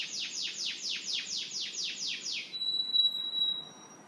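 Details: Russian canary tutor song for training juvenile canaries: about eight evenly spaced, sweeping downward whistled notes, followed by a steady, pure high whistle. Faint background hiss.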